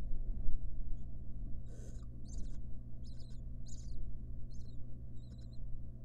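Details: Wild barn owl mother tending her nestlings in a research nest box; a series of short, harsh, raspy high bursts comes at irregular intervals of about half a second over a steady low hum.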